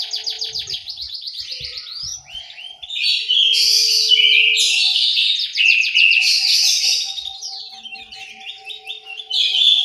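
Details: Orange-headed thrush singing in an aviary in Malang, East Java: fast trilled and buzzy phrases, rising into loud dense bursts of varied notes, with a thin steady tone running underneath.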